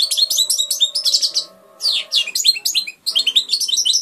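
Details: Rapid liquid twitters and chirping trills from a hand-raised European goldfinch, broken by two short pauses, with sweeping downward notes mid-phrase and a low steady hum in the background.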